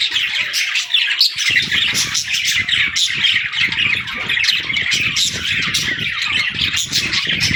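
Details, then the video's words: Baby budgerigars chattering excitedly while playing, steady overlapping chirps, warbling trills and squawks, with rapid low tapping or rustling starting after the first second and a half. "Baby Budgies Playing & Talking 🐣🎶 | Fun Chirping Sounds"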